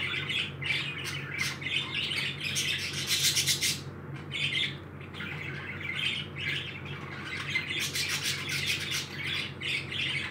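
Several parakeets chatter and squawk in dense, scratchy bursts with quick chirps, over a low steady indoor hum.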